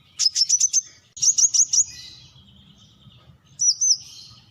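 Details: Brown-throated sunbird uttering two quick groups of high, sharp chips, five then four notes, followed by a slurred whistled note with a faint hiss and low background murmur.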